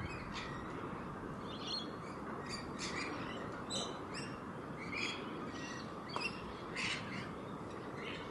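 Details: Several wild rainbow lorikeets playing together on grass, giving short harsh screechy squawks repeated irregularly, roughly one or two each second, some overlapping, against a constant low hiss of outdoor background noise.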